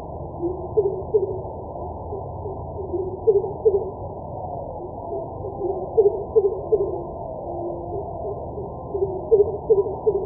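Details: Four runs of low, booming whoops from a greater coucal, known in Bengali as kubo, each run of three to four resonant notes, recurring every two to three seconds against faint background noise.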